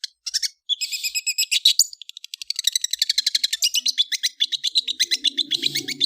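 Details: Long-tailed shrike (cendet) chattering song: a jumble of buzzy high notes breaks into a rapid, even series of short sharp chips, roughly four per second, with a soft low rumble near the end.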